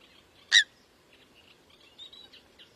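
A Eurasian coot gives a single loud, sharp, explosive note, followed by faint, thin chirps from other birds in the background.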